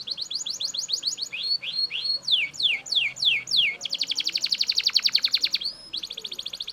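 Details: Loud Belgian canary song made of quick series of downward-slurred notes, then a long dense buzzy trill and a brief whistle before the rolling resumes.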